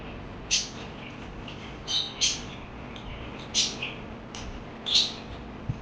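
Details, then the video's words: Parakeet calls, a handful of sharp squeaky chirps, some in close pairs, separated by brief quiet gaps over steady low hiss. "Lovely birds Chirping Sounds Parakeet lovely birds"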